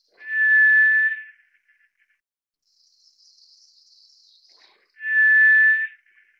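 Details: Two long monotone whistles from a White's thrush, each lasting about a second and spaced roughly four seconds apart, with a quiet high rustle in the gap between them.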